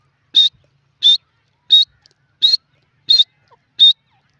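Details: Grey francolin (teetar) from India calling: six loud, short, harsh notes at a steady clip of roughly one every 0.7 seconds, each sharp and high-pitched, with a quiet background.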